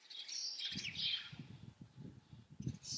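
House sparrows give a run of bright, overlapping chirps, strongest in the first second and again at the end, over low rumbling thumps of nearby noise.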